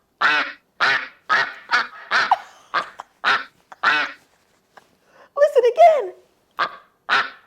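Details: Duck quacking, played as a listening quiz in a preschool farm-animal lesson: about ten short, rasping quacks in steady succession, interrupted midway by a woman's laughing voice, then two more quacks.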